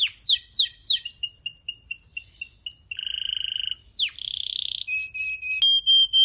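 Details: Syrian canary song opens with a series of quick down-slurred chips, then passes through rapid rolling trills and ends on clear, sustained high whistled tones.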